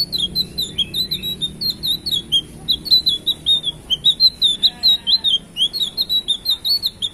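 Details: Blue flycatcher singing loudly, a fast, continuous stream of bright chips and quick twittering phrases with barely any gap between notes, over a quiet low background hum.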